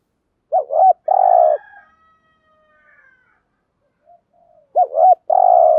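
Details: Spotted dove kept as a lure bird, calling to provoke wild doves in the daily 'thúc gù' style: two short hooked coos, then a long, steady, low coo, with the phrase repeated after a pause of about three seconds.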